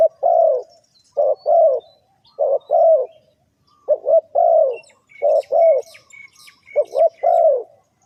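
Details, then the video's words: Repeated spotted dove cooing used as a trap lure, six low phrases over eight seconds, each clipped coos leading into a longer descending coo; high chirps of other small birds join midway. "The Suara Tekukur"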